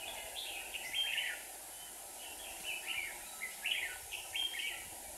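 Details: Decoy red-whiskered bulbul singing in a trap in Hòa Bình, Vietnam, to attract wild rival birds; lively sequence of whistled, slurred phrases repeated every half second to second, steady hiss behind.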